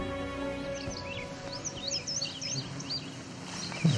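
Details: Indigo bunting singing in the Great Lakes region, with a second indigo bunting nearby: a quick run of high, sweet paired notes over about a second and a half, above a steady low hum and faint tonal background.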